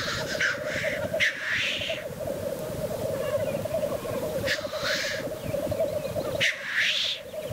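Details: Black grouse displaying at the lek: a continuous low, dove-like bubbling roo-kooing runs throughout, broken by several loud, harsh, breathy hissing sneezes.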